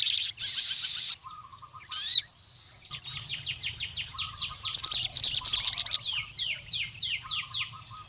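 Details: Energetic crimson sunbird of the forest type challenging a rival male: loud high trills, quick downslurred chips in a tumbling series, then a dense rattling burst; soft lower whistled phrases behind.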